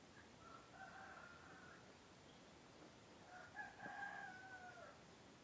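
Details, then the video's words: Two roosters, or two crows from male laying-breed chickens, heard at morning; a fainter sustained crow early on, then a louder, longer one ending in a falling tail, with a sharp knock between. "SUARA KOKOK AYAM PEJANTAN // the sound of a rooster crowing"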